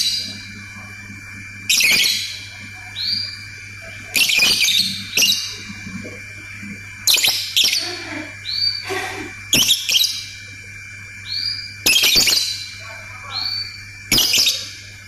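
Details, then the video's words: Lovebird ngetik chatter combined with ngekek: repeated harsh buzzy bursts every one to two seconds, broken by short rising whistles and quieter chips, with a steady low hum throughout. "BURUNG 🐦LOVBIRD SUARA NGETIK TAMBAH NGEKEK"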